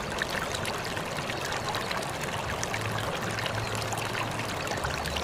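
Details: Continuous pouring and trickling water with a faint low hum, and no animal voice.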